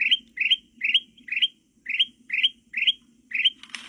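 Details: Sooty-headed bulbul in forest, a recording used to lure wild birds, giving quick bright chirped notes that rise and twist upward, repeated about twice a second in an even string, over a low steady hum.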